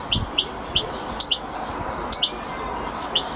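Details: European goldfinch uttering single short, bright chirps spaced irregularly, about eight within a few seconds, over a soft hiss.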